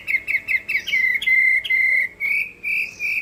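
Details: Hwamei singing its fighting song (hót đấu): quick repeated whistled notes lead into a long steady whistle, then three separate drawn-out whistles with short breaks between.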